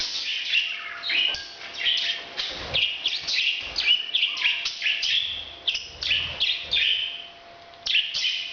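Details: Parrot breeding sound: fast, squeaky, scratchy chirping in uneven bursts, with a short whistled note near the fourth second and a quieter gap before a final burst.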